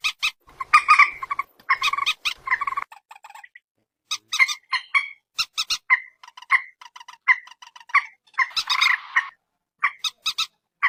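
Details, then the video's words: Phone recording of a common moorhen (peruk, mandar batu) giving loose series of harsh, nasal squawks and clicks, some notes clipped and rapid, with a rougher drawn-out squawk near the end. "suara burung PERUK/ MANDAR/ TIUNG"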